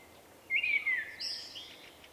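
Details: A shy male common blackbird with an unusual song, recorded in March 2024, gives one short whistle sliding downward, then a fainter high, squeaky twitter trailing off in quiet outdoor air.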